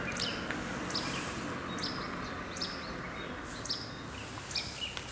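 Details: A Russet sparrow (Passer cinnamomeus) in southern Taiwan, where it is increasingly rare, gives short, high chirps roughly once a second over a steady rushing background hiss.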